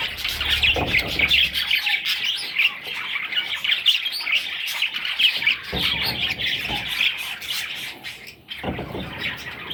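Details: Young parrot chicks producing a steady mass of high-pitched chirping mixed with harsher squawks for about ten seconds, with brief low thumps or handling noises in between.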